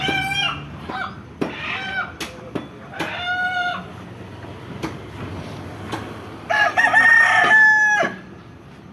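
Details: Chickens giving short, repeated, nasal clucks and squawks, then a rooster's drawn-out crow near the end, over steady low rumbling background noise.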